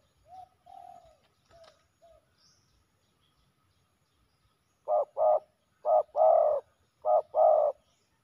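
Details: Male spotted doves fighting fiercely at a ground decoy; faint soft coos at first, then three loud low phrases, each a short coo followed by a longer burry coo, repeated roughly every second.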